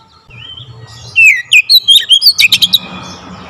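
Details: Oriental magpie-robin belting out tightly spaced song with varied fill-ins: a quiet warble builds into about ten loud, quick, clipped chirps and slurs in one and a half seconds, followed by a soft tail.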